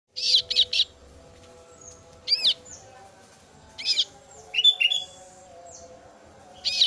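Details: Female kasu-kasu bird chick calling its parent: harsh, buzzy bursts in pairs and triples, spaced irregularly over several seconds, with faint thin whistles and a low steady hum behind.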